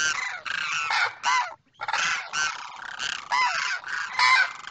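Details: A male demoiselle crane calls to his mate on the far side: rapid chains of hoarse, croaking trumpet notes, a brief silence midway, then more rolling calls.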